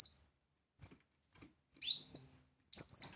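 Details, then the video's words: Brown-throated sunbird (kolibri wulung) tutoring recording: after a pause, two separate high notes, one rising sweep and one sharp chirpy phrase, with faint clicks in between. "Kolibri Wulung Gacor Tembakan Keras Masteran Handal"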